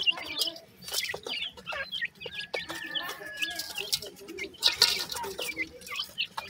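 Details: Several black francolin (kala teetar) chicks, male and female, calling: overlapping high chirps and short slurred peeps, a thin steady whistle in the middle, and sharp clicks and scratching.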